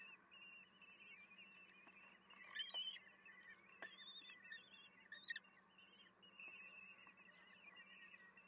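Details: Common kestrel chicks in a nest, begging for food at an evening feeding on 10 June 2022 around 18:30: high, wavering, whiny trills, several voices overlapping in bursts, over a steady low electrical hum.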